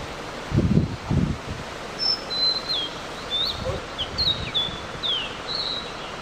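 Blue-and-white flycatcher giving thin, high chirps and short slurred notes every half second or so, after a couple of low thumps and soft background noise.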